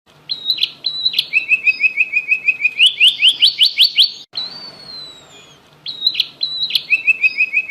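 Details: Javan munia, kept as a songbird, singing a learned imitation of prinia song: fast series of sharp high notes, a rapid trill of repeated chirps rising in pitch, a long thin descending whistle, then the trill again.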